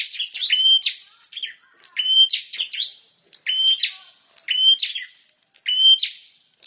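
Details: Bar-winged prinia in full lively song, five clear phrases each pairing a steady whistled tone with rapid dry clicks and chips, separated by brief silences, nothing else audible.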